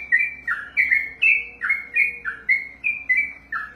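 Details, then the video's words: Sooty-headed bulbul (trucukan) from a songbird-keeping setting, singing fast 'ropel': crisp fluted two-note phrases, a high whistle followed by a falling slur, repeated about every third of a second. "ROPELAN BURUNG TRUCUKAN TERPANJANG DALAM SEJARAH"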